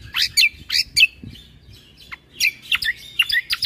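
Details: Cucak kombo singing actively, a master recording for training caged birds, late 2022: sharp high whistled notes and slurred chirps in quick, uneven bursts, with brief pauses between phrases.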